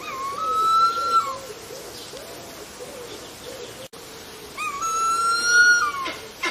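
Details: Harpy eagle in forest: two long whistled wails, each rising then falling away at the end, while another bird warbles softly in the background between them.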